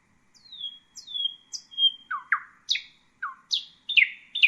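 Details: Common nightingale (Luscinia megarhynchos) song made of slurred whistles that drop from high to mid pitch. Lower downslurred notes follow, then emphatic rising-falling notes repeated roughly twice a second.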